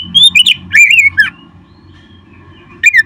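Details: Oriental magpie-robin used to stimulate caged birds to sing: loud whistled phrases sliding between high and mid pitch, broken by a pause, then another warbled burst at the end; low steady hum underneath.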